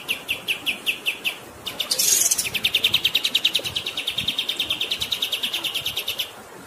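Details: High, spaced chirps from a kapas tembak, then a harsh buzzy rush, then a long fast rolling trill of bright repeated notes that gradually fades.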